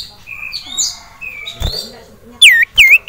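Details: An agitated caged male sirtu, stirred by a rival and a female, utters thin high whistled notes followed by two loud ringing upslurred notes; a sharp knock midway.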